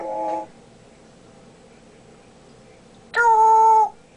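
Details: Pet male African grey parrot indoors, known for mimicking speech and burping, giving two steady harmonic tones: a short one at the start and a louder held one about three seconds later, with quiet room noise between.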